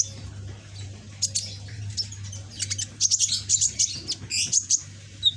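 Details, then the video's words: Caged young red-backed sunbird in green plumage, still learning song: scattered high chips building into a fast, dense high twittering run, over a low background hum. "Burung Kolibri ninja punggung merah ijoan gacor"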